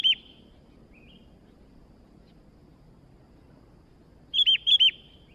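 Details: Newly acquired sooty-headed bulbul in lively voice gives one bright whistled note. After a long pause with a soft faint note, it delivers a tight burst of four ringing notes in two quick pairs.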